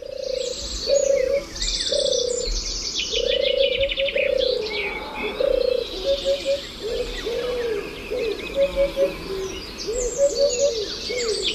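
A European turtle dove gives soft, rolling purrs in a low, steady series about twice a second, over a busy chorus of high, twittering songbirds.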